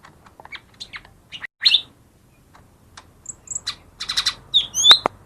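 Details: Lesser green leafbird song for luring quiet birds into song: scattered soft chips build into loud high whistles, rattling chatter and sharp rising notes near the end.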